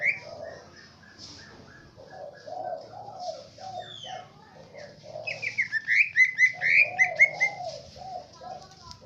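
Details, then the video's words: Cucak ijo, the green leafbird, in Aceh Tengah, delivering swiftlet-style mimicry: a burst of rapid, bright chirps and short whistled slurs, about two per second, between stretches of low mellow cooing notes. "Cucak ijo isian walet"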